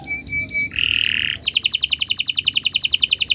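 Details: Canary singing as a master bird for training others: three short high notes, a harsh buzzy burst, then a fast regular high trill.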